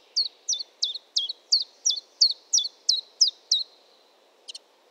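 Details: Chiffchaff delivering about ten evenly spaced, high downward-slurred notes at roughly three per second, then a brief double chip after a pause, over a soft low background hum.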